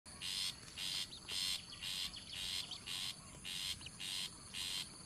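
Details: Long-tailed shrike chicks being fed by their parents give harsh, hissing begging rasps, about two a second in a steady run, with a faint background hiss.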